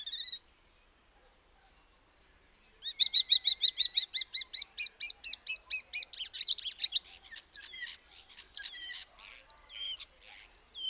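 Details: Common starling (Sturnus vulgaris): a brief high note, two seconds of quiet, then a fast train of repeated clicking, rattling notes. It turns into a jumble of varied whistles, squeaks and buzzy phrases in a dense chatter.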